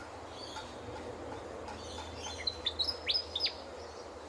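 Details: A Willie Wagtail in Australia in the morning gives a quick burst of sharp, high chirps and short sweeping whistles, about eight notes in a second, over a low steady background hum.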